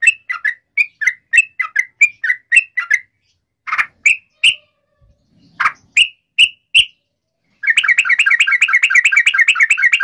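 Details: Sooty-headed bulbul singing as a lure for others to answer: choppy bubbly phrases, a pause with scattered single notes, then a dense fast rippling trill.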